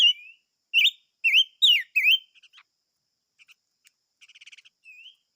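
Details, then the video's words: Chim ngũ sắc singing: a run of four or five loud, looping whistles opens the phrase. Faint chips, a short rapid trill and a soft rising whistle follow. "Chim Ngũ Sắc Hót - tiếng chim ngũ sắc hót"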